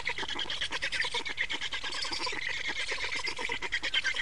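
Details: At an Estonian black stork nest, changeover and feeding on 28 May 2019 in mid-afternoon: a continuous stream of fast, scratchy, buzzing pulses with slight rises and falls in loudness.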